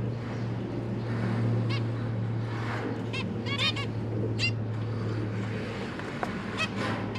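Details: Captive zebra finches, a parent pair with three recently hatched juveniles being fed, 31 October 2022, give short, nasal, buzzy beeps, scattered irregularly a few per second, over a steady low electrical hum.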